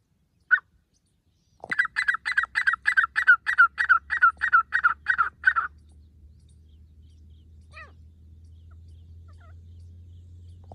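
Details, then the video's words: Grey francolin call for hunting: one sharp note, then a fast run of about fourteen loud, harsh, evenly spaced notes, roughly three per second, lasting four seconds, followed by a steady low hum. "Grey francolin bird sounds hunting"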